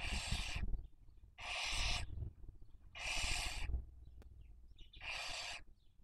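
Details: Barn owl raising young, filmed by nest webcam in Cabañeros National Park, Spain, 2023 breeding season; four strong hissing bursts of about half a second, evenly spaced roughly every one and a half seconds, over a quiet low rumble.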